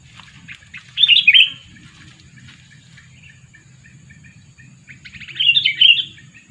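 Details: Sooty-headed bulbul, a two-year-old lure bird used to attract wild birds, gives two short bursts of bright, tangled chirping notes about four seconds apart, with soft chatter and a low steady hum between them.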